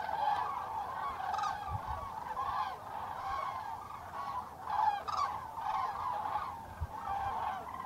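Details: A flock of common cranes at Tablas de Daimiel wetland, Spain, in November 2012, gives loud, rolling trumpeting calls that overlap continuously, rising and falling in bursts every second or so.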